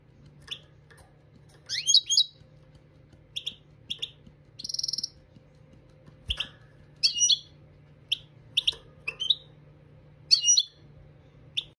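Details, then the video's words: Song-training recording of a European goldfinch: scattered sharp twitters and tinkling chirps, one brief buzzy trill near the middle, irregular pauses between phrases, steady faint hum behind. "Chardonneret Dressage Maknin"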